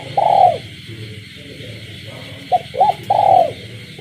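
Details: A kept spotted dove cooing at night in a village setting, with frogs calling. Low, hollow coos arch up and fall, with a long note, a pause, then stuttering short notes and another drawn-out coo, over a steady high night chorus.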